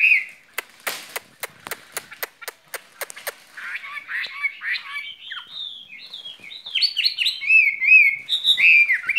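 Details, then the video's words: Skylark kept in a cage, singing a spring love song: a series of sharp clicks at first, then rich flowing warbles with whistled slurs and chirped notes building in loudness toward the end. "Chim quý ở lồng son ca bản tình ca mùa xuân"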